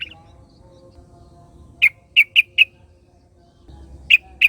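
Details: In the wild, a yellow-vented bulbul gives sharp, loud, well-spaced chirps, first four in a row and then two more after a quiet gap, over a low steady background hum. Another bulbul answers it.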